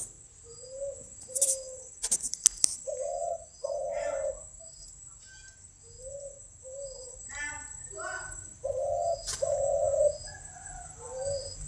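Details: Kept spotted dove giving scattered, quieter low coos of varying length across the recording, interrupted by sharp clicks, rustling and a brief human voice, with a steady high hum behind.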